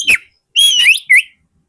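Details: Oriental magpie-robin song meant to lure wild birds: a harsh short note, then a long clear whistle bending upward, and a final short rising note.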